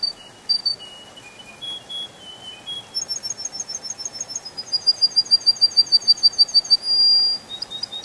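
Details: A canary singing in a spring forest moves from spaced whistled phrases at varied pitches into a fast, ringing trill of evenly repeated notes, ending with a sustained buzzy burst and further high chirps.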